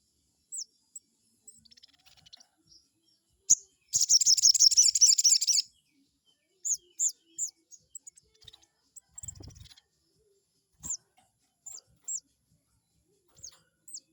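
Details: Crested jay lure recording used to provoke a rival into answering: sparse sharp high chirps and short downslurred notes, with a dense buzzy rattling burst about two seconds long near the middle and faint clicks.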